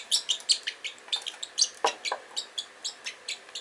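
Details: Pet Pacific parrotlet at home playing with magnets and a medicine bottle, giving rapid high-pitched chirps and tweets repeated several times per second in short bursts, with one lower harsh note midway.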